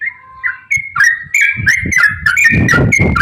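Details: Yellow-vented bulbul ropel song played as a lure for other bulbuls: varied clear whistles, some long and level, others sliding upward in quick succession, with rumbling low noise growing loud in the second half.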